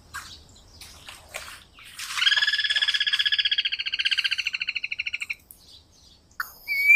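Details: Guira cuckoo, known in Brazil as anu branco, singing: a loud, harsh, rapidly pulsed rattling note held for about three seconds, with faint chirps before it and a brief thin whistle at the end.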